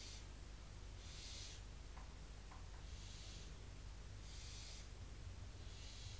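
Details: Barn owl chicks in a nest box at Cabañeros National Park voice rejection of a visiting owl, apparently a female, while the resident adults are away. Five breathy hisses at irregular intervals, a few faint clicks, steady low hum throughout.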